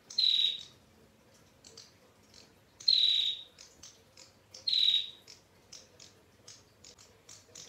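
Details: Three loud, high, buzzy 'ngetir' trills from a female bar-winged prinia, spaced about two seconds apart, with many small sharp chirps filling the gaps.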